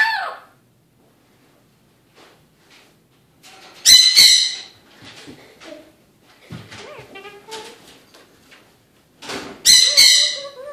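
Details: Evening talking from an Eclectus parrot: a few quiet mumbled speech-like sounds between two loud, raspy squawk bursts, with a short high call at the start.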